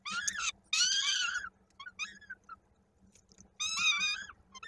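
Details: Peregrine falcon nest in Koszalin, Poland, 16 May 2022, while young are fed and one chick's foot sticks in a beak: sharp short squeals, a drawn-out screech, quiet soft notes, then another loud wavering cry.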